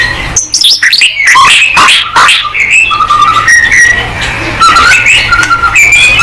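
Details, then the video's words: A white-rumped shama singing to provoke other birds into song: dense bursts of harsh chatter and mixed notes at first, then steadier clear whistles, some long and flat, others rising, repeated through the rest. "MURAI BATU GACOR|Hanya cukup 5 detik Langsung NYAUT!!"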